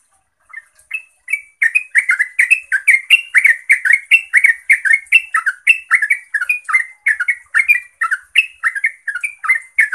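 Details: Yellow-vented bulbul singing continuously, used to provoke other bulbuls into answering and singing; a rapid, chattering run of bubbly, warbled notes around the middle pitch range, about one phrase per second, with faint high ticking above and no other sounds.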